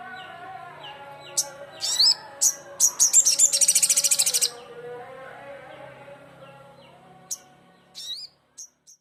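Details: Crimson sunbird calling rivals with scattered sharp high chips, then a dense rapid high buzzy trill lasting about a second and a half, followed by quieter isolated chips against a faint steady hum.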